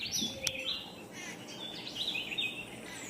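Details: Yucatan jay calling, a few short chirpy notes and brief upslurred whistles over steady background noise, one sharp click near the start.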